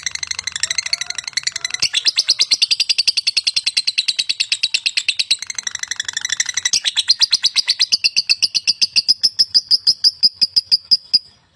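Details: Lovebird singing a long, rapid twittering chatter of dense high squeaks that grows into a fast, even trill of sharp repeated notes before stopping.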